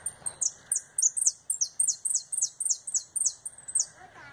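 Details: Domestic canary singing retinido-style song with a fast turn, coming out of its moult: a rapid series of high, metallic, ringing notes, each a sharp descending sweep, repeated about three times per second with very even spacing.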